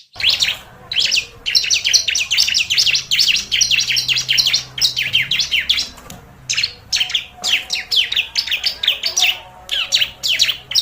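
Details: Bar-winged prinia sounds used as a bird-catching lure: dense, rapid bursts of high chirping notes, many sharply falling, in quick clusters separated by brief pauses, with a faint low hum underneath.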